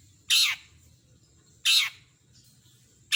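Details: Long-tailed shrike giving loud harsh rasping screeches, roughly one and a half seconds apart, above a low humming background.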